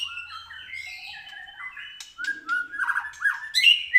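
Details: A white-rumped shama at a bird training track, still short of full fervour, sings long sliding whistles that build into quicker, louder, varied warbled phrases and sharp notes toward the end.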